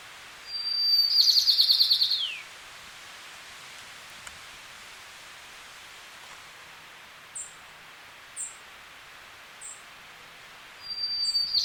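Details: Golden-crowned sparrow in the Sierra foothills of California, USA: a loud, buzzy, rapidly pulsed high note that slides downward at its end, then a few short soft chips, and a fresh burst of song starting near the close.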